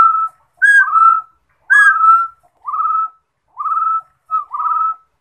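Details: Song of a Rufous-throated partridge: five whistled phrases, the first two opening with a higher bright note, the later ones plainer rising whistles, spaced about a second apart.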